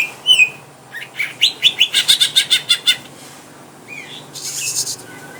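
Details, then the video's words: Greater green leafbird at home during a fight-test with a rival: a brief whistle, then a fast rhythmic series of about a dozen sharp chips, followed by quieter notes. "burung cucak ijo tarung ngetes cucak ijo dirumah"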